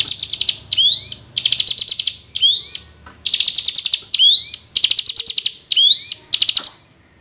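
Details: Hill prinia lure call to make lazy birds sing often: regular alternation of rapid high-pitched chip bursts and smooth ascending whistles, several cycles, ending in a short pause; background otherwise still.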